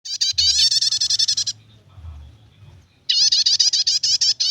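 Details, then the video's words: Prinia singing in the chattering style called nyetater, used for luring or tutoring birds: two loud bursts of rapid, high buzzy ticking notes about four per second, separated by a quiet pause of roughly a second and a half, over a low hum. "suara prenjak nyetater"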